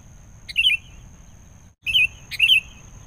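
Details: Sooty-headed bulbul, wild, responding to luring: two loud bubbly warbled phrases in quick succession after a short first one, each with a sharp opening note, over low steady background noise.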